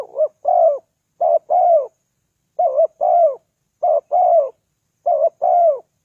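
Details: Spotted dove calls used as a lure for wild doves: paired low coos, a short wavering note then a longer falling one, repeated in five phrases about every second and a half, in a quiet background.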